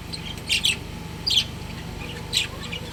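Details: Pet budgerigar breeding pair kept at home, giving three short clusters of bright, squeaky chirps about a second apart, with a constant low electrical hum beneath.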